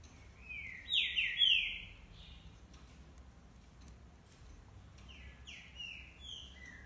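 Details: Green-winged saltator, described as a true trinca-ferro, singing two bursts of loud, clear whistled notes, the second a slurred run of falling phrases, over a faint background hum.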